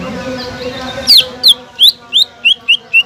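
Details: Greater green leafbird in full song, used to provoke a silent leafbird into singing; after a quiet humming start, seven loud, piercing whistled notes follow in quick succession, each bending down in pitch.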